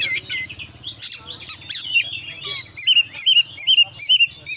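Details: Oriental magpie-robin (kacer) singing vigorously in the konslet style, full of fill-in phrases: opening rich varied warble, then a run of short rising-and-falling whistled notes repeated about twice a second, with a faint low hum underneath.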